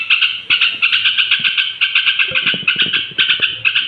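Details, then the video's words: Straw-headed bulbul (trucuk) near bedtime, song meant to raise other bulbuls' emotions; a steady, unbroken stream of rapid, pulsing chatter with faint low clicks underneath. "suara trucuk menjelang tidur ampuh naikkan emosi trucuk lain"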